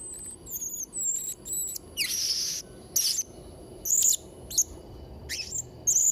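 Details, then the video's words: Blue-crowned hanging parrot song for training young birds: thin high whistles at first, then buzzy rasping bursts and sharp chirps spaced about a second apart. "Variasi & Isian Suara Serindit Trotol Gacor | Sangat Cocok Untuk Masteran& Pancingan Burung Serindit"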